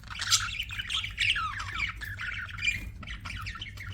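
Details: Budgerigars chirping: a dense, continuous stream of scratchy, warbling chirps and squawks, rising and falling quickly, with a soft low hum underneath.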